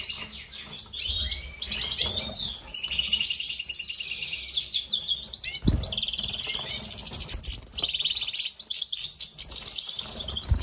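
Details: Breeding pair of mutation European goldfinches, a eumo male and pied female, twittering continuously in bright, rapid, tinkling trills and chirps over a faint low hum.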